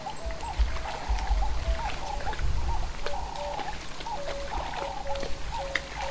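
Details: A Cape turtle dove calls over and over near a pan in the afternoon, as wild dogs wake from their midday siesta, with short mellow coos in quick three-part phrases like 'work harder', over a low wind rumble.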